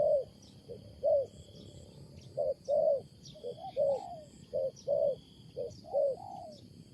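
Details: Wild spotted dove with a loud, unusual coo: short low hooting notes around one per second, some paired, with a steady high insect drone and faint chirps behind.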